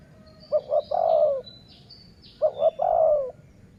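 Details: Dove cooing during a decoy-luring session: two short clipped notes followed by one long, slightly falling coo, with the phrase given twice. Faint high chirps of other birds sound in the background.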